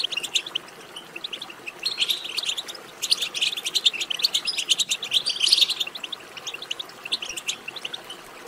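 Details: European goldfinch singing, from a track designed to stimulate goldfinch song: sparse chirps at first, then a dense, bright twittering burst from two to six seconds, fading to scattered notes.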